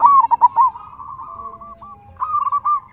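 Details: Local zebra dove song, meant to provoke other doves into replying and to raise their mood. A rapid run of staccato coos opens, fades into a soft rolling murmur, then a second brighter burst of beaded notes closes.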